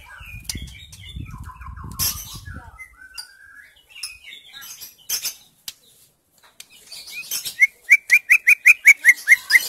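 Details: Female white-rumped shama singing actively, used to prompt silent or untrained males into song: varied warbling and chattering notes at first, then a rapid series of about eleven loud, repeated rising chirps in the final two seconds, over faint low thumping.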